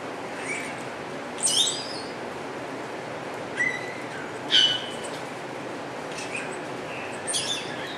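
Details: Wattled starling (Creatophora cinerea) in a bird park aviary at Alphen aan den Rijn, Holland, singing: scattered short high squeaky chirps and clicks with brief whistled notes, in bursts about a second apart amid steady background hiss.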